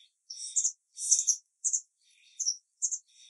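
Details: A white wagtail fledgling keeping contact with its parents gives high, sibilant "tsivi-tsivi" chirping bursts, several each second in uneven runs, each short phrase slurring between thin, bright notes.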